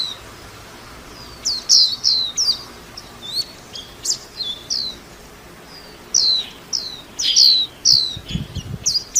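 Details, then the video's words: Spaced high thin chirps from a white-eye quicken into a busier chattering phrase toward the end, over faint background hiss. "tiếng chim vành khuyên hót líu lo"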